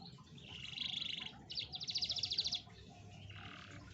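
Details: Canary singing, played to coax a reluctant canary into song: a buzzy sustained trill, then a fast, evenly pulsed high rattle of repeated notes, followed by a softer lower roll.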